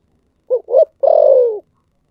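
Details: Spotted dove, 'thổ sấm' voice type, giving one clean phrase in silence: two short rounded notes and a long, slightly rough, downslurred final coo.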